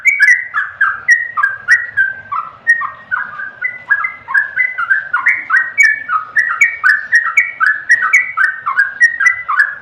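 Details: A yellow-vented bulbul sings without a break, pouring out clear, slurred whistles that dip and rise in a lively babbling sequence of about four notes per second.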